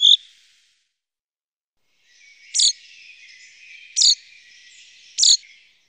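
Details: Chaffinch recorded in 2018 in the Wittlich valley, giving sharp, bright chinking notes, three of them spaced a little over a second apart after one opening note, with a soft hiss between.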